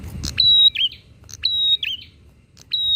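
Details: Persistent bar-winged prinia song used to rile up other prinias: quick phrases of a click, a level piercing whistle and a downward-bending twist, repeated about once a second, clean and loud.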